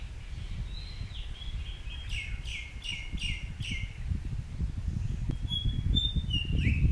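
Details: White-browed fantail, Shakambhari Conservation Reserve, Rajasthan, India: a falling whistle, then four quick buzzy notes in a row, then thin high whistles, over steady low background rumble.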